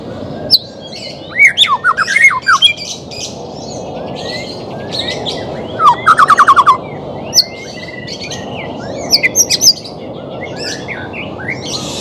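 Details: White-rumped shama, a bird reluctant to sing in training: bursts of fast, falling whistled trills and sharp clicks arrive every few seconds, separated by quieter chips over steady background noise.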